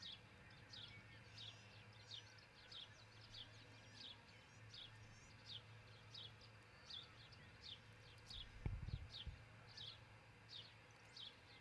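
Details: At a nest in Charlo, Montana, an osprey pair is heard on a camera microphone early on 22 June 2018; a long run of short, high, down-slurred chirps, roughly two per second, over low hum, with one brief knock near the end.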